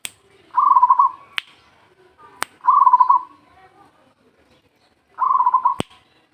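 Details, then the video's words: Local zebra dove call used as a lure: three soft, rapid trilled coos, each about half a second long, spaced two to three seconds apart. Sharp clicks sound between them. "SUARA PERKUTUT LOKAL BUAT PANCINGAN"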